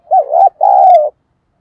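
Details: Single crisp coo from a captive lure spotted dove, thổ voice style: a short undulating opening followed by a drawn-out, gently falling hoot.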